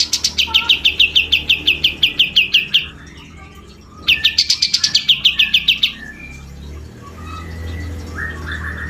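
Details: Grey-cheeked bulbul in lively song: a rapid series of piercing repeated chirps, a short pause, then a second quick run, followed by softer scattered notes over a low background hum.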